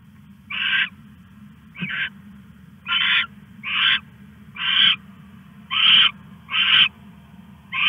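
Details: Nighttime owl recording from August 21, 2015 at 1:41 AM as the bird stashes a rat; a series of eight grating, hissy screeches at uneven intervals, one notably shorter, above a steady low drone.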